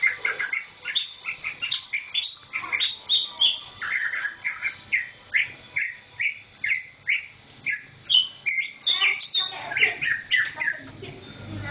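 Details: Recently acquired caged green leafbird, tail still regrowing, singing busily: a lively, unbroken stream of sharp chirps, whistles and slurred upward and downward notes, delivered in quick irregular bursts with small gaps between phrases.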